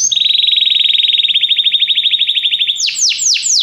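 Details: Training song for a canary, played to spur it into singing: a short high whistle, then a long fast rolling trill on one steady pitch, closing with three loud sweeping notes that drop sharply.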